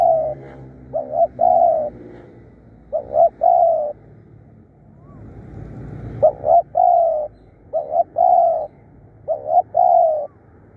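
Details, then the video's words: Fierce, persistent decoy spotted dove cooing steadily. About six phrases, each a brief broken double note followed by a long low coo, are spaced a second or two apart. Low-pitched background hum is heard throughout. "เสียงต่อนกเขาใหญ่ ดุดัน ขยันเรียก"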